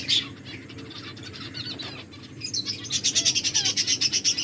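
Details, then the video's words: Finches eating and chirping: scattered high calls at first, then a fast, even run of sharp repeated chirps, about two per second and growing louder, over steady low hum. "My beautiful finches eating and enjoying finches chirping sounds"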